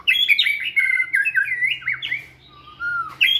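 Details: Energetic white-rumped shama song from a flight cage during stamina training: a rapid run of loud, looping whistled notes, a pause, then a clear low whistle and a sharp rising note.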